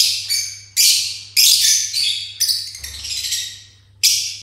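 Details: Begging calls of pineapple conure chicks: loud, hoarse, screechy high squawks repeated about every half second, each fading at the end, with a brief low rustle midway.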